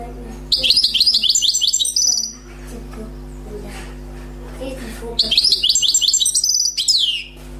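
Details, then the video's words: Wild European goldfinch, newly caught, singing two separate bursts of high rapid repeated trilled notes with a quiet gap between them, with faint low sounds in the background. "غناء حسون بري صيد جديد #chant chardonneret"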